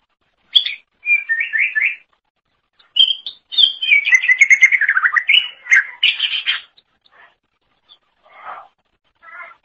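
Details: Greater green leafbird (cucak ijo) singing a loud, lively song, used as a tutor recording for training songbirds: varied chirped and warbled phrases, a rapid run of sliding notes mid-clip, then softer scattered notes after short pauses.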